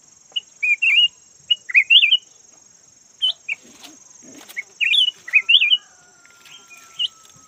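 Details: Red-whiskered bulbul, yellow form, kept as a decoy bird: scattered short whistles and bouncy rising warbles in loose phrases every few seconds, with a faint steady high whine and slight background rustle.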